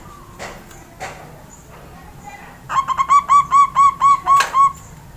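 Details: Local Javanese zebra dove during morning sunning after its bath; after faint knocks and rustles, a quick string of about ten soft, rounded, hollow coo notes, evenly spaced and steady in pitch.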